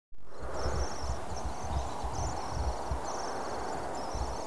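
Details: Last common swift chick of 2014, almost ready to fledge, calling from a nestbox colony near Tubbercurry, Co Sligo, Ireland, 7 August: high thin buzzy trills repeated in short bursts over constant low traffic rumble.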